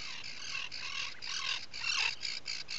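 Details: Atlantic puffin in its nesting burrow at a breeding colony on Seal Island National Wildlife Refuge, Maine, early morning of 12 July 2018; harsh, buzzy squawking bursts, about five in under three seconds, over faint background hiss.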